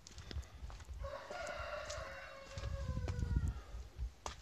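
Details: Farmyard chicken giving a drawn-out crow of about two and a half seconds, steady then gently sliding lower, with footsteps and low rumbling handling noise throughout.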